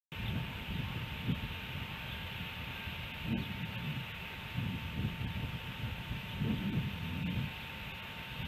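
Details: Low wind rumble and a steady electrical hum fill the recording, with faint rustling and no animal voice.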